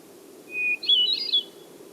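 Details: Hermit thrush song, a Newfoundland bird: a clear, steady flute-like opening note, then a rapid swirl of higher notes flicking up and down, in three groupings of sound. A faint low hum sits underneath.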